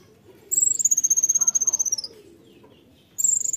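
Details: Konin delivering a 'tembakan' burst: a long, very high trill of rapid, even pulses that drifts gently downward for about one and a half seconds, with a fresh trill starting near the end. Faint low hum behind.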